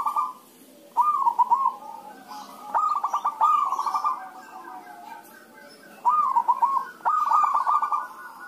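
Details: Several zebra doves (perkutut) answering one another, a call-and-response recording used to coax other doves into song; short bursts of clipped stuttering coos give way to level rolling trills, about five phrases with pauses between them.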